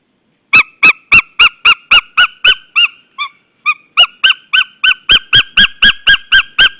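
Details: A White-tailed eagle from a mating pair in Estonia, 27 February 2013, gives a fast run of about 25 sharp, high yelping notes, roughly four a second, with a brief softer pause midway.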